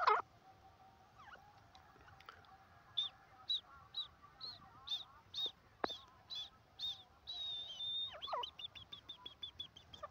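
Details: Grey francolin (jungli teetar) calling in the jungle: a series of short, sharp, high notes repeated about twice a second, speeding up into a rapid run near the end. Fainter lower calls and scattered clicks sit in the background.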